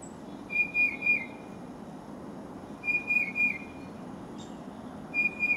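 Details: Tufted titmouse singing gently while a Carolina wren listens nearby; clear whistled phrases of three to four quick slurred notes, repeated about every two and a half seconds over soft background hiss.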